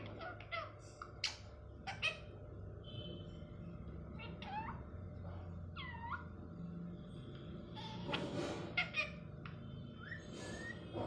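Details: Pet Indian ringneck parakeet talking Hindi phrases such as "Mitthu", "Radhe Radhe" and "I love you" in short, scratchy speech-like bursts, with a few swooping, meow-like notes, over a steady low household hum.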